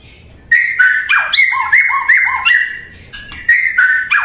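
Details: Murai batu (white-rumped shama) breaks into a quick series of clear whistled notes, each with a lower following note, accompanied by sharp high clicks, lasting about three seconds.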